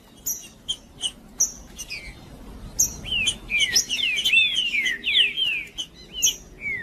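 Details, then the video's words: Trinca-ferro, the green-winged saltator, a male singing macheando to stir other males: a few sharp high chips at first, then a fast run of loud slurred whistles twisting up and down, ending with more chips. "Trinca-ferro Macheando com Trinca ferro cantando Para Esquentar Trinca ferro"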